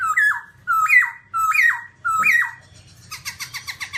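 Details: Four loud, matching whistled phrases from a babbler, each climbing in steps before dropping, then a fast run of short repeated chips.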